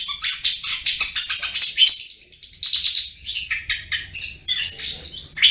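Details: Cendet, the long-tailed shrike, in ngriwik gacor song. A dense, rapid burst of scratchy high twitters, then a short thin whistle and varied squeaky, slurred phrases. Quiet low rumble in the background.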